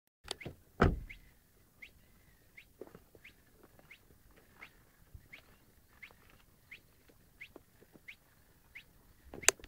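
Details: Spotted Crake singing at Grønvej, Lille Vildmose, on 28 May 2013: short, sharp whiplash notes repeated steadily about every two-thirds of a second, with a few loud knocks at the start and end.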